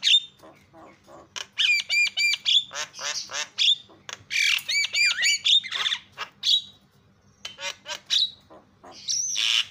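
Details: Javan myna, jalak kebo, calls used to provoke other mynas into calling: loud harsh squawks mixed with nasal rising and falling whistled notes and rapid chattering bursts, delivered in irregular runs.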